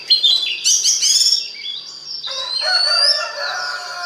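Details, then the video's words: Oriental magpie-robin singing to prompt other magpie-robins: a burst of harsh buzzy notes and rattles, then a long smooth rising whistle over a steady high tone. "DI JAMIN BIKIN KACER LAIN AUTO GACOR DENGAN PANCINGAN BURUNG KACER INI"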